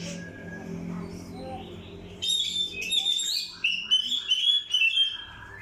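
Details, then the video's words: Oriental magpie-robin lure song meant to provoke other birds: after about two seconds of low background murmur and hum, a rich sequence of high whistled phrases, rapid trills and slurred notes bursts in and continues. "PANCINGAN BUNYI KACER"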